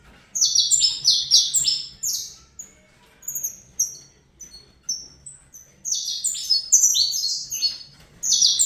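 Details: Captive young Saffron finch with Fibra-style song: an opening flurry of quick falling notes, a slower middle section of spaced thin whistles, then another lively cascade.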